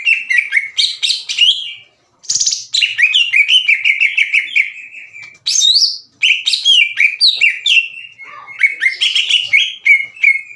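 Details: Greater green leafbird kept in a cage, singing hard and aggressively to challenge another leafbird: long, loud medley of scratchy chatter, downslurred whistles and sweet level notes in fast bursts with short pauses.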